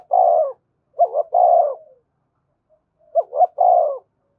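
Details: Spotted dove repeating its 'thúc gù' coo, used to excite and train other birds: soft low phrases of two short notes plus a long vibrating croo, about every two seconds, clean background.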